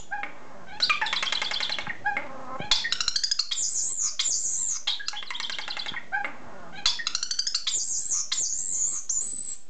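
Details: Pet common starling talking and singing indoors: long bursts of rapid rattling clicks mixed with high squealing, buzzy whistles and wavering warbles, repeated in several phrases.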